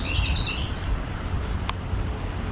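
A greenish warbler gives a quick burst of high, sharp, repeated notes lasting under a second, then stops. Low rumbling background noise and a single click follow.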